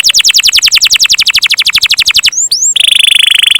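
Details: Canary song roll: an even series of quick descending notes, about eight per second, two short rising whistles, then a very fast buzzy trill.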